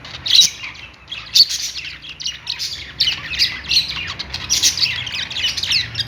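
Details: Happy budgerigars mix loud harsh squawks with rippling chirps and warbles, with sharp peaks standing out from continuous overlapping chatter.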